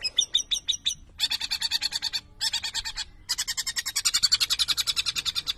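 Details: Long-tailed shrike, known as cendet, singing an energetic varied song: rapid high chattering bursts and buzzy trills in fast pulsed series, broken by brief pauses, with a low hum underneath.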